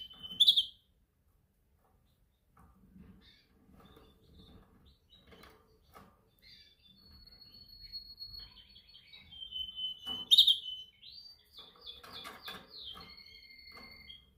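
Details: Canary practising its song during training: a loud opening chirp, a quiet stretch, then sustained thin whistles and a loud chirp that leads into rapid rattling trills and held high notes.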